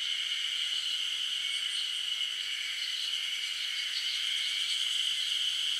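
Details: Black woodpecker (Dryocopus martius) nestlings at a forest nest on 8 June 2023, near fledging, wait at the entrance for a parent to bring food and keep up a steady, high, hissing begging buzz with no pauses.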